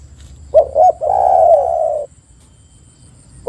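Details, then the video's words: Lure call of a spotted dove meant to set other doves calling: one phrase of two brief hooting notes leading into a sustained, slightly wavering coo, then silence and the start of the next phrase. "PANCINGAN TEKUKUR AGAR BUNYI dalam 1 menit TEKUKUR BAHAN dan macet ikut gacor"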